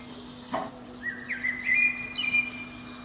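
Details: Eurasian blackbird, a protected species, singing atop a pine below a window at spring dawn. After a faint click, one mellow whistled phrase climbs and wavers, ending in a higher twitter, with a constant low electrical-sounding hum beneath.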